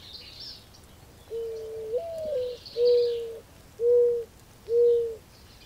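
A mourning dove gives a soft, low, hollow coo: a longer rising-then-falling first note, then three steady hoots about a second apart, over faint high hiss.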